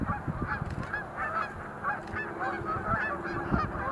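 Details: A group of Sandhill cranes leaping in display at Montezuma National Wildlife Refuge, November 2020; steady chorus of rattling, goose-like calls, several birds calling at once, over low background rumble.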